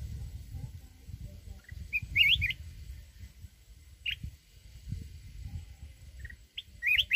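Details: Red-whiskered bulbul from the mountains in forest-style song. Quick, sweet, warbled phrases of a few rising notes come every two to five seconds over a constant low rumble.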